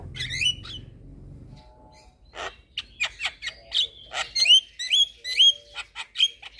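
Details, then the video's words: Tutor chatter of a white-eyed Javan myna meant to get young mynas singing: after a quiet start, bright upward-flicked whistles alternate with raspy bursts in a steady series of loud pulses. "Ocehan Jalak kebo Mata Putih"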